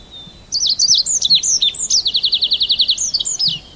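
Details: Red avadavat (Amandava amandava) giving a high, thin twittering song: sweet rising and falling notes, then a fast run of even ticking notes, then more chirps.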